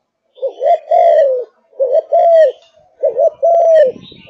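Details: Fired-up caged spotted dove of Malaysian strain: three full coo phrases, each a short double note sliding into a long, slightly falling hoot, ending with a faint rustle.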